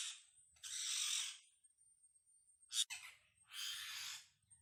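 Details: Harsh drawn-out screeches from wild parrots, used for communication, two long rasping calls separated by a sharp snapping click, with faint low rumbling beneath.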